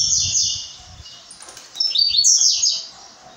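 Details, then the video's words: Brown-plumaged blue-black grassquit (tiziu pardo) singing two short, high buzzy phrases of sweeping notes, the first falling and the second rising then trailing off, with quiet low rumbling early on. "Tiziu pardo"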